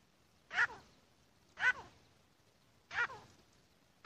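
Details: Grey francolin, known locally as Irani teetar, giving loud harsh calls that burst out about every 1.2 seconds, each with a short rasping tail, over faint background hiss.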